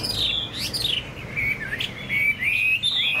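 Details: Caged Chinese hwamei giving loud, fluid whistles: a high descending slur, then level and gently rising phrases with brief pauses between them.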